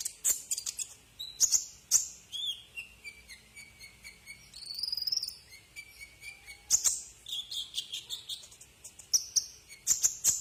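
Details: Tutor recording of a Brown-throated sunbird for cage birds, with fast high-pitched chips, a buzzy trilled phrase midway and thin descending whistled notes, delivered in irregular bursts.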